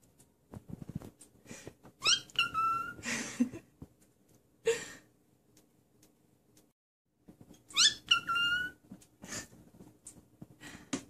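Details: Pet cockatiel (Nymphicus hollandicus) gives short bursts of bright, warbling whistles, with rustling and tapping nearby.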